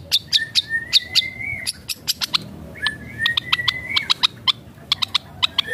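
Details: Long-tailed shrike in full song, mimicking other birds: sharp high chips scattered around two long, steady, slightly rising whistles.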